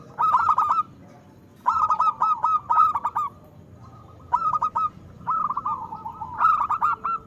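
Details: Local zebra dove in vocal form gives quick stuttering notes running into longer ringing coos, in about four phrases separated by short pauses, with quiet background. The recording is used as a lure for doves that are slow to sing and as a tutor for moulting birds.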